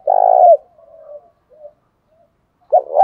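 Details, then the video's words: Spotted dove singing to provoke other doves to fight, from an edited compilation of decoy voices: one long, loud, buzzy low coo, fainter soft coos trailing after, then another loud coo starting at the end. "Chim cu gáy thúc đấu giọng hay"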